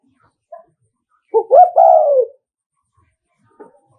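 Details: Spotted dove coo used as a lure to provoke rival males: a short harmonic note, then a longer warbled coo sliding downward over about one second, with faint clicks around it.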